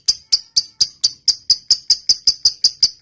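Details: Lovebird in 'ngetik panjang' singing for bird training, giving crisp, high ticking chips repeated about three times a second in a steady, clicking run.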